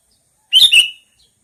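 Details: A single quick two-part chirp from a sooty-headed bulbul, a bright note sliding into a second slightly lower one, clear against a quiet background.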